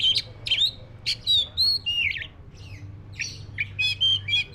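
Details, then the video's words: Loud song of a black-breasted white-rumped shama: bright whistled notes and sharp clicks alternating in a lively rhythm, phrases about every half second, over faint low hum. "SUARA BURUNG KACER (DADA HITAM)"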